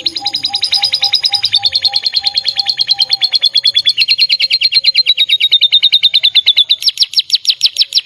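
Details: A gacor canary pours out a steady, rapid rolling trill of high repeated notes, shifting slightly in pitch. It speeds into sharper, brighter notes toward the close, with faint low tones in the background.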